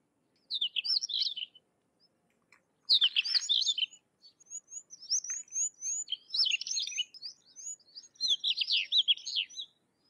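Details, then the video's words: Sykes's lark in song: three bursts of rapid, jumbled, high chirps and trills, separated by short pauses, with faint thin notes overhead and no other clear sounds. "Sykes's Lark or Twany Larks Singing"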